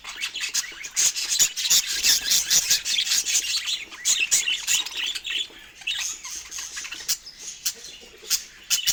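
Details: Pet budgerigar chirping while eating fruit: a dense, continuous stream of high, scratchy chirps and warbling chatter, broken by quick clicks and softer dips midway, with no other sounds.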